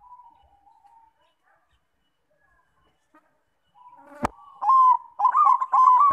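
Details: Bangkok-type zebra dove lure song meant to make other doves sing. Mostly quiet for the first four seconds apart from a faint soft coo, then a sharp click and a loud run of stuttering coos.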